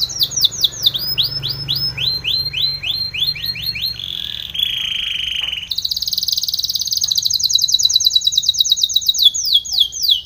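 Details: Timbrado canary training song: repeated downward-sweeping whistled notes, then steady buzzy held tones, then a long very fast high roll and more swooping slurred notes.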